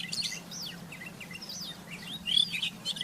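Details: Rufous-tailed scrub robin singing in the wild: swooping, slurred high notes strung together in quick succession, ending in a louder sharp burst, against faint steady background noise.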